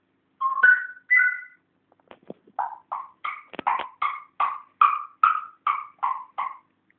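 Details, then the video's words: Pet male African grey parrot learning to talk, indoors: a run of about fourteen clear whistled notes, each a two-tone swoop between a lower and higher pitch, repeated roughly every half second after two longer opening whistles. "my talking african grey"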